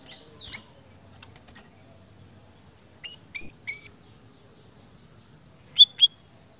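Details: Small minivet (siri-siri) heard after near silence: three loud, high, thin whistled notes in quick succession, then a later pair of sharp chirps.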